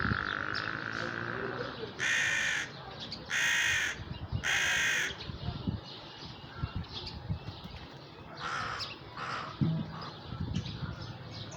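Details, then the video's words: Crow at sunset calling with three loud, harsh caws about a second apart, then fainter rasping calls later, over steady outdoor background noise. "The sound of the crow at sunset"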